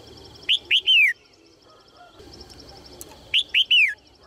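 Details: Red-whiskered bulbul female calling to spur males to sing: two clear bursts of three loud whistled notes each, rising sharply then sliding downward, separated by nearly three seconds of quiet with a faint steady high tone.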